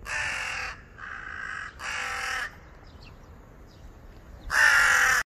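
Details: An agitated crow on electricity wires calls in rough, drawn-out caws: three in quick succession, then a gap of about two seconds before a louder final caw.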